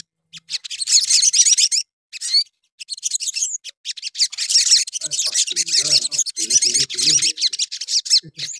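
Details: Sooty-headed bulbul singing continuously to provoke other bulbuls: dense, rapid high chattering notes in long bursts with brief pauses, with lower scratchy sounds in the second half.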